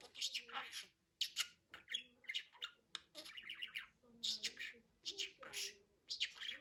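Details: Budgerigar giving a dense warbling chatter of rapid, buzzy, scratchy notes in quick bursts. Short pauses fall between phrases, and there is no other clear sound.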